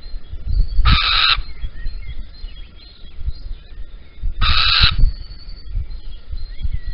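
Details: Little owl at Holten, 16 April 2020 around 05:59, male bringing a caterpillar while the female is away, gives two harsh hissing screeches about 3.5 seconds apart over low wind rumble and faint distant birdsong.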